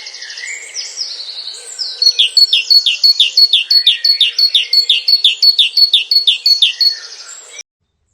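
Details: Great tit (Parus major) song in a dawn chorus on a UK smallholding: loud, very strident two-note phrases repeated about three times a second, like 'teacher teacher', with other birds twittering faintly at the start.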